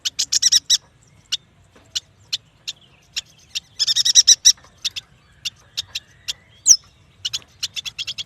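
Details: Chattering yuhina song, the bird also called prenjak batu, used to train and attract birds: opening rapid twitter, then evenly spaced single high chips, another quick burst, and more isolated sharp notes with one upslurred whistle.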